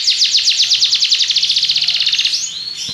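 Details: Belgian canary delivering a long rapid trill of down-slurred notes that speeds up and softens, ending in a brief rising whistle.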